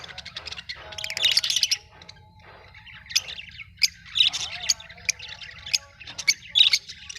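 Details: Pet Australian budgies chattering, with a dense scratchy burst near the start, then separate bright chirps and squawky notes spaced irregularly.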